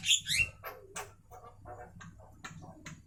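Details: Short burst of Javan myna song at midday: sharp squawking notes followed by a string of brief, scratchy chatter notes repeated several times a second.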